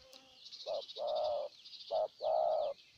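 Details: Close spotted dove decoy from Ninh Thuận, Vietnam, cooing to draw in a wild bird: two phrases, each a short low note followed by a long, even coo, over a steady chorus of high chirping birds.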